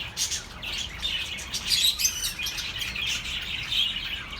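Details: Bird twittering played as comfort for lonely pet birds: rapid warbled chirps running together, loudest near the middle, with faint background hum.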